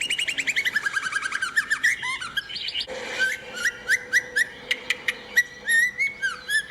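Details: Lure recording of White-rumped shama, female or a male-and-female pair, in wild forest style: dense fast trills and descending notes, then sharp ticks and looping whistles over a steady hum and background noise.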